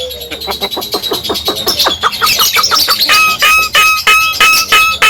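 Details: Javan myna, kept as a cage bird, loud and ringing: fast repeated clicky chatter that settles into steady whistled notes near the end, a low hum underneath.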